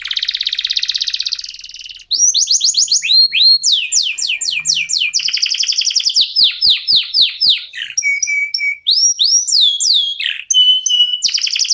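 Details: Local canary's full song played to get other birds singing: opens with a long buzzy trill, then rapid downslurred whistles, clicking rattles, flat whistled notes and renewed trilling.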